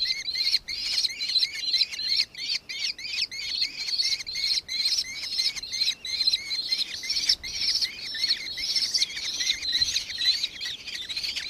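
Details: Nankeen kestrel recorded in Victoria, Australia, on 4 December 2024, giving a long, shrill series of quick, high chittering notes repeated roughly twice a second, against a steady hiss of outdoor background noise.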